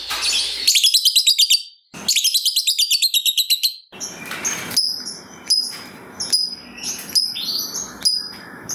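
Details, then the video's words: Fighter lovebird in long ngekek chatter, meant to get other lovebirds calling back. Two runs of rapid, regular shrill notes lead into spaced sharp chirps and squeaky rising notes over a hissy background. "Pancingan Burung Lovebird Ngetik Bikin Gacor Ngekek Panjang !! Lovebird Lain Langsung Nyaut Gacor"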